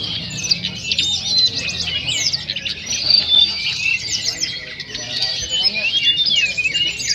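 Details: A lovebird gives its ngekek chatter, used as filler song for tutoring other birds: a long, unbroken run of fast, high, squeaky trills and twitters with no pauses.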